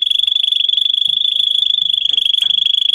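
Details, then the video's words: Singing Russian canary, bred for song, used to teach young birds. A fast, even, high rolling trill with pulses packed tightly together, held steadily throughout, with a faint click near the end. "Canary how to sing listen and teach young Canary"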